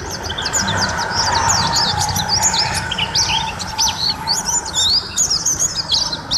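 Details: Bright white-eye (pleci) song of sharp rising chirps and drawn-out thin whistles, lively and varied, over a faint hum in the background.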